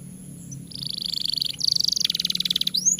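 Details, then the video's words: Long-singing domestic canary performing a master song meant to prompt young or reluctant canaries to sing: rapid trilled phrases, a buzzy pulsed roll, then a faster rattling trill and a rising whistle, over faint low hum. "Suara MASTERAN Kenari Gacor Panjang Sangat Efektif Untuk PANCINGAN Kenari Bahan Dan Malas Bunyi"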